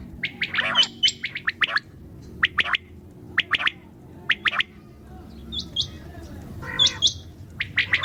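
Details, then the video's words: Common quail calling at night: clipped triple-note phrases given in irregular bursts, mixed with some higher, thinner chirps and a faint low background hum. "QUAIL SOUND||بٹیر کی اواز"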